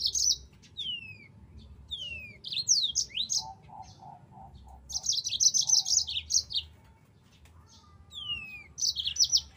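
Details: Yellow-fronted canary song used as a training recording: bright, varied high phrases of whistled downslurs and rapid trills in bursts, with a short lower pulsed rattle in the middle and faint low background rumble.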